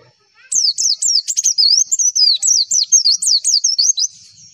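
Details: Javan white-eye song used as a tutor recording to make other white-eyes answer: rapid run of high, sharply down-slurred whistled notes, several per second, clean and loud against a silent background.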